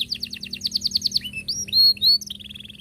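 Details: Canary song played so juvenile canaries can learn: a quick series of repeated descending chirps followed by rising slurred whistles and a short buzzy trill.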